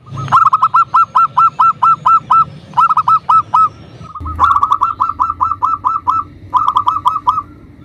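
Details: Local zebra dove singing loudly, used as a lure to call and provoke rivals; rapid runs of short, hooked, ringing notes repeated several times per second, about nine in a run, broken by brief pauses, with a second overlapping series.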